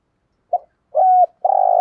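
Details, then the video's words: Spotted dove coo in the 'thúc gù' or 'gáy gọi' style, aimed at exciting decoy doves: a soft short note, a level coo, then the start of a long rough coo that breaks off abruptly. "tieng chim cu gay gu thuc gay gọi/ cu cườm bài bản"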